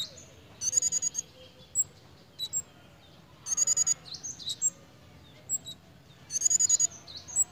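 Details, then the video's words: Breeding-condition pied fantail: three separate bursts of fast, high-pitched chattering notes, each under a second long, with scattered single high chips and short squeaks filling the gaps. "BURUNG KEMADE / CIGEN SEDANG BIRAHI,LUCU JUGA TINGKAH DAN BUNYINYA"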